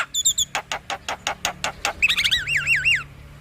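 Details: Male black-winged myna song provoking a lazy bird: a quick row of evenly spaced sharp clicks, then a rolling wavy whistled trill repeated several times.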